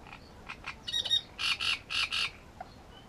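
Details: Great reed warbler at Grachevka, recorded near its nest. Harsh, croaking notes are given in a loose sequence: a few short clicks, then a pair of grating notes, followed by three longer rasping phrases, over a soft background hiss.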